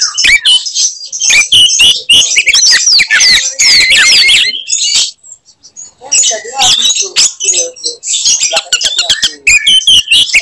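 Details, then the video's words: Aggressive Oriental magpie-robin singing to provoke other birds: rapid high chirps and buzzy notes, a near-silent gap around five seconds, then softer lower warbles before quick clicks return. "kacer gacor tarung bongkar materi tembakan khas bikin kacer lain NGAMUK dan EMOSI"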